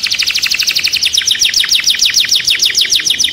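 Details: Rapid rolling trill of repeated descending notes, roughly seven per second, from an agitated caged canary, steady and loud throughout.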